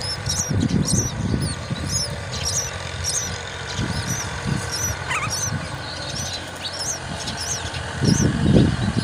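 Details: Myna feeding its chick a spider; thin, high chirps repeat rapidly and steadily, with a single louder falling note near the middle and low rumbling noise throughout.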